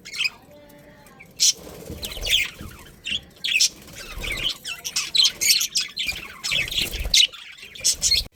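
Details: Budgerigar breeding pairs in a colony giving a sustained chorus of warbling chatter, squawky chirps and high twitters, loud and nearly unbroken after a short quiet opening.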